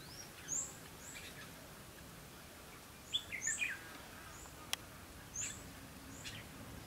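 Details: Red-whiskered bulbul song during a trapping session on 2 October 2016: a quick, chattering phrase of a few looping notes around the middle. Thin high chirps from other birds are scattered throughout, with one sharp click and a constant background hiss.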